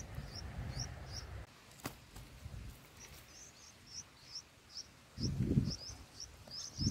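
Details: Baby bulbuls in a nest, six days old, fed by parent birds. Scattered sharp high chirps come in short runs, separated by quiet gaps, along with low thumps and handling noise.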